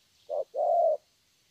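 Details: Young spotted dove giving a single two-part coo, a brief low note then a longer sustained rolling coo, with faint hiss behind.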